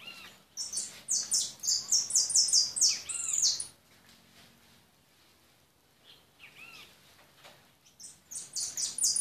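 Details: European goldfinch delivering a rapid, high, ringing twitter for several seconds, falling silent for a stretch, then resuming with another bright burst.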